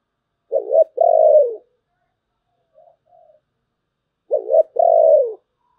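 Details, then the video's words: Spotted dove giving its 'thổ bầu' style song: two deep coo phrases, each a quick stuttered note followed by a drawn-out falling coo, with a soft muffled note between them. "cu gáy giọng thổ bầu, nghe cũng hay phết"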